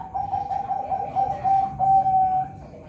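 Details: Captive-bred zebra dove at a bird farm in Semarang, Indonesia, with a steady, drawn-out coo that wavers slightly and holds on one even pitch, heard against faint low room noise.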